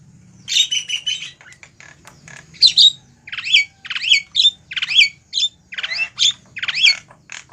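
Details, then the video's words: Javan myna lure call used to entice wild mynas to a trap: a series of separate harsh, slurred squawks with upturned whistled edges, spaced roughly every half second. "Suara Burung Jalak Kebo Ribut||Suara Pikat Jalak Kebo"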